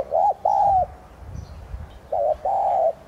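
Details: Decoy spotted dove (Streptopelia chinensis tigrina) in thúc gù style, used to stimulate singing: a long mellow note, then a short double note and another drawn-out coo, low and hollow, over soft background rustle.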